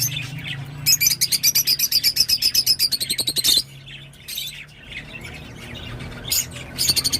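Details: Rosy-faced lovebird twittering: a fast, even string of sharp high chirps about four a second for nearly three seconds, a pause with softer scratchy notes, then a short renewed burst, low hum behind.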